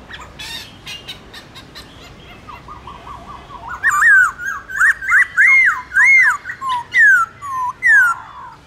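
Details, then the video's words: Black-throated laughingthrush in morning contest song in a wild-type voice, used for training caged birds: after a soft, low opening, loud clear whistled phrases arch up and down, each note sliding and repeated about once per second. "Khướu bạc má hót đấu giọng rừng buổi sáng"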